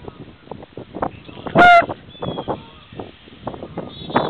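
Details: Geese in a marsh in early spring, March 2010, alongside cranes and red-winged blackbirds; one loud, nasal honk with strong overtones bursts out midway, surrounded by low tapping, rustling and faint chatter.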